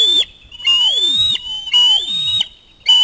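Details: Young Osprey begging loudly at a fish delivery by a parent: three long, piercing whistled screams, each about a second, sliding slightly upward, separated by short pauses.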